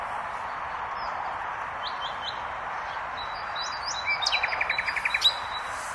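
Common nightingale song: scattered high chips and whistles, then a fast run of about ten repeated notes, over a steady rushing hiss like running water.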